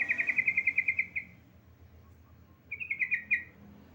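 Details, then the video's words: A female yellow-vented bulbul calls to a male with a long, fast trill of evenly spaced pulsed notes. After a pause a second, shorter trill follows. "BURUNG TRUCUKAN BETINA MEMANGGIL JANTAN"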